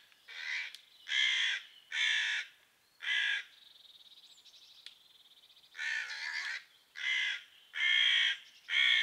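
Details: Four harsh caws, then a pause filled by a soft buzzy rattling tone, then five more caws, as crows mob a pine marten from the tree above and drop twigs on her.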